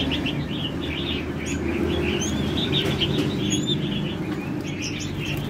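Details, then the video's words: Moulting Oriental magpie-robin giving quick, chirpy notes with a few thin high whistles, repeated several times a second over a steady low rumbling hum. "chích chòe than bông đá tay"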